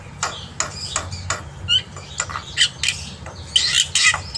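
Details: Black-winged myna singing in the morning as a tutor for young birds, scattered harsh noisy bursts mixed with brief squeaky whistles, spaced irregularly, over a faint low hum.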